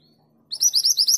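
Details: A female mountain mantenan calls to a male with a brief, rapid start of high, upslurred chirps, cut off after five notes.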